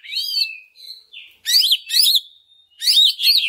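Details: Greater green leafbird singing as a lure for other leafbirds: bright whistled notes sweeping up and down, a thin trailing whistle, then loud twisting slurred phrases in short bursts.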